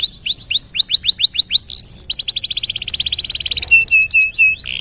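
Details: Canary tutor song for training other birds: a series of sharp rising-falling whistles, a rapid sustained rattle of clipped notes, then short flat whistles and a buzzy ending.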